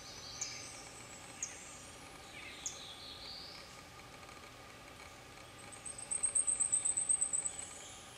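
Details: Blackpoll warblers, two of them, bathing in a stream in Fairfax Station, Virginia: a few scattered high chips, then a fast string of about ten sharp, very high-pitched notes swelling louder, over constant running-water noise.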